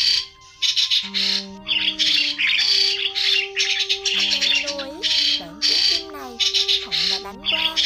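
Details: Lure sound of migrating white-headed starlings for trapping: rhythmic harsh screeching bursts over steady droning tones, with swooping nasal notes appearing in the second half.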